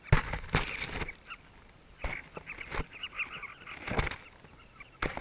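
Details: Southern carmine bee-eaters in a breeding colony in South Luangwa give short, rolling, throaty chirps overlapping in steady colony chatter, recorded close up; loud knocks and thumps break in several times; a bird of prey targets the colony.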